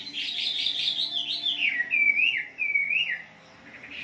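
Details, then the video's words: A wambi sings a brief, lively phrase in a recording played to stir caged birds into song, with dense high chatter melting into smooth, swooping whistled slides before falling quiet. "Pancingan Terapi di Pagi Hari agar Wambi Kalian Ngalas"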